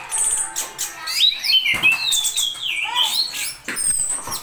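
Orange-headed thrush pours out a rapid, unbroken run of varied whistles, slurred sweeps and high chirps, several phrases a second, with no pauses.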